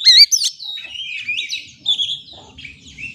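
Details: Oriental magpie-robin song for calming and stimulating stressed caged birds, opening with a few loud sharp whistled notes, then softer, blurred warbling phrases that fade and return.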